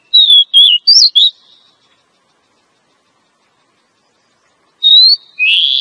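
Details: Female Oriental magpie-robin calling to attract a male for trapping in the forest: four short clear whistles in quick succession, silence, then a rising whistle and a harsh raspy note.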